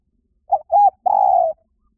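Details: Spotted dove calling, a recording used to lure birds: three low cooing notes, two short hoarse coos followed by a longer, slightly falling drawn-out coo, in an otherwise quiet background.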